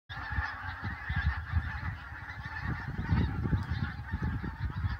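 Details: Flock of pink-footed geese flying over Loch Leven National Nature Reserve, a continuous overlapping chorus of honking and yelping calls, with strong low wind rumble throughout.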